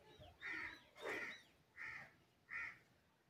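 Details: Green ringneck parrot, a rose-ringed parakeet known for imitating human speech, gives four loud, harsh, squawking calls spaced roughly every 0.7 seconds, each a short rasping burst with a ringing overtone, over quiet background.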